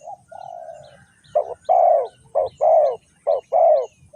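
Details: Spotted dove from Ninh Thuận, used to lure wild doves into a trap, begins with a soft flat coo, then three loud short-long coo pairs in steady rhythm over a quiet low rumble.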